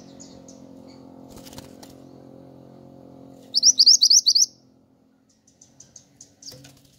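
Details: Pied triller singing actively, a recording for luring birds and tutoring pet songbirds: one fast burst of about six rising, slurred high whistles lasting under a second, over a low steady hum, then faint scattered chirps.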